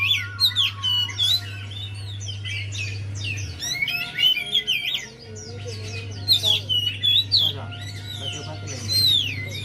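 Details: Javan white-eye song used as a lure to prompt a quiet bird to sing: fast, lively high chirps and twisting whistled phrases, with a steady low electrical hum and a faint constant tone underneath.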